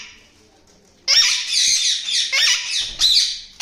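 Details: A pet yellow ringneck parakeet from a breeding pair gives harsh, grating squawks in three bursts over about two and a half seconds, loud and raspy, in a quiet small room.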